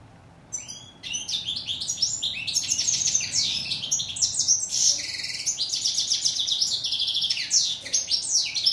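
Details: After a second of near silence, a European goldfinch (Moroccan steyla) launches into sustained rapid twittering, with jangling chirps and buzzy rolls running without pause to the end.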